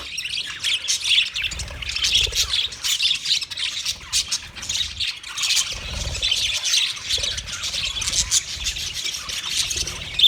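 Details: Several budgies, 29 February 2024, keeping up a long unbroken stream of scratchy high chirps and squawks, with low thumps and rumbles underneath at times.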